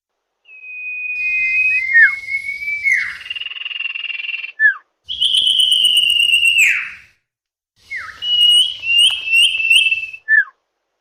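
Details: Common iora sound used as a bird lure: drawn-out whistles that slide down at the end, mixed with rough buzzy bursts and a few quick stepped notes, recorded loud and slightly distorted.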